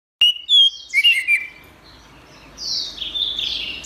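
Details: Orange-headed thrush singing in a gacor style: a loud, sharp whistled note followed by quick chirping, slurred phrases, then a softer warbled run. Fainter high twittering sounds behind it.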